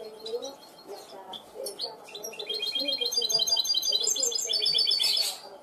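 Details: Trained goldfinch hybrid singing in the clean-song style called cante limpio: after a quiet start, rapid bright trills and repeated high chirping notes build steadily, with a low background murmur underneath.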